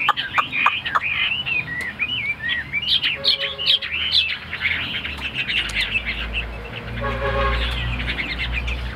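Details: Chinese hwamei kept as a tame cage bird, pouring out a jumble of quick whistled and warbled notes. A low rumble and some background sounds run underneath.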